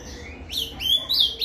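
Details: Ultramarine grosbeak (azulão) singing in the Paraná canto fibra style, used to warm up a captive bird: a brief run of bright, slurred whistled notes, rising then falling, in quick succession over a faint background hum.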